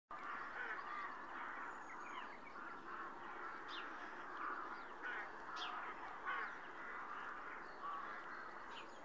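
A noisy rookery chorus of many rooks, with harsh, overlapping caws and grating croaks running without pause and a few sharper squawks standing out.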